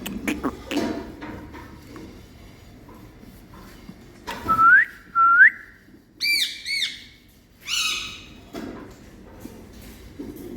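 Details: Pet parrot in India, shown affectionate with its owner indoors: a few loud rising whistles, then squawky harmonic calls and chirps spaced across the recording, separated by quiet room sounds.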